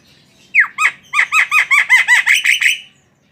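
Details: Javan myna pouring out a loud, rhythmic string of about ten harsh, harmonic swooping notes, each dipping in pitch, repeated roughly every quarter second over nearly two and a half seconds.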